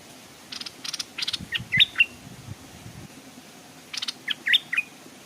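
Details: Stripe-throated bulbul used as a decoy bird, hung by a stream, with wild birds arriving but not daring to come down. Short bursts of clicky notes and bright, quick whistled slurs, grouped in two phrases a few seconds apart.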